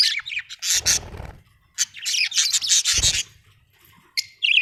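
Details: Pet budgerigars at home, making harsh squawks and fast overlapping chatter in loud bursts, with some low thumping or rubbing noise in between.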